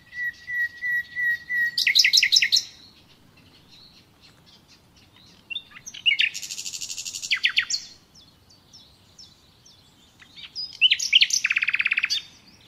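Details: Nightingale in a natural recording: a slow series of piping whistled notes that swell into a loud, buzzy rattle, then two more phrases of rapid, dense, rattling notes separated by short silences.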